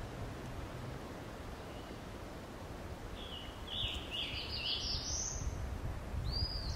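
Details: Eastern wood-pewee, a first-of-year bird at Beech Hill Preserve in Rockport, Maine, in the morning, giving the last two notes of its lazy, drawn-out song: high slurred, wavering notes after three seconds, with a black-throated blue warbler and a scarlet tanager singing in the background.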